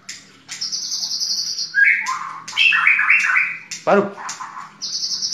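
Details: White-rumped shama in a full 'tembakan' song: a high buzzy trill, then dense chattering phrases in the middle range, a sharp downward note, and a return to the high trill. Faint low hum underneath.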